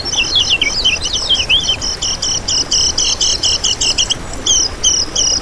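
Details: Lemon-bellied white-eye song recorded as a master track for luring and attracting wild birds: a fast, jumbled run of high twittering notes that settles into a steady string of short, paired chirps, with a faint background hiss.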